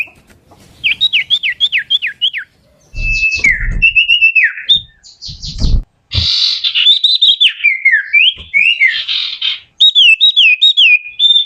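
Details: Common iora giving a varied whistled song: a quick run of five repeated downslurred whistles, then a jumble of clear whistled phrases and short slurred notes, with brief low knocks in between.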